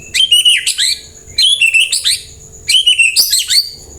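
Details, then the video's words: White-rumped shama song used to make other birds reply and sing: three bursts of bright, high whistled and warbled phrases, each about a second long, with short pauses between and a faint steady high tone behind. "Pancingan murai jadikan burung anda ikut nyaut dan gacor"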